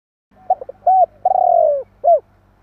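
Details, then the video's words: Spotted dove calling to provoke other doves: a stutter of short coos, a rising-falling note, a long vibrating croo sinking in pitch, and a final clipped coo. "Chim Cu gáy gọi kích bổi / Tiếng cu gáy kích bổi Hiệu quả"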